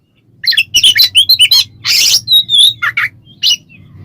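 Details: Oriental magpie-robin singing ngeplong style to stir other magpie-robins: quick string of chirps and whistles, then a harsh rasping burst and a long even whistle, over steady low background noise.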